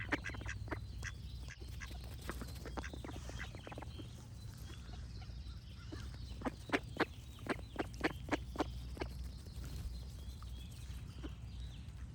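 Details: Ducks quack on and off, with a dense run of sharp, evenly spaced quacks midway through and a steady low rumble throughout.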